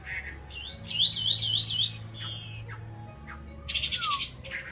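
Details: Two Chinese hwamei belt out a loud, varied song of rich warbled whistles and harsher chattering notes, phrases changing quickly, over a low steady hum.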